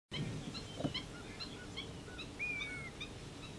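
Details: Common greenshank (Tringa nebularia) at Mai Po, near a bird hide, gives a clear, ringing whistled note that dips slightly, among short high chirps from other birds and a low background rumble.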